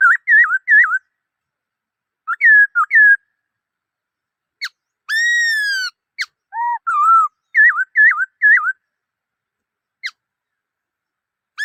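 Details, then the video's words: Black-throated laughingthrush song of loud, looping whistled phrases. Some are given in bursts, and there is one long, slightly descending whistle with bright overtones. Several short silences break the song, and the background is quiet. "Noog Sab Hwj Quaj Dib Tuaj Zoo Heev {นกมะเกลือร้องเพลงNk makelụ̄x r̂xngphelng}"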